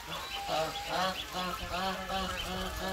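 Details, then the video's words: Goose, filmed with a gosling: short, closely spaced harmonic calls, nasal and slightly quacking, repeated several times a second over steady low background noise. "Goose baby"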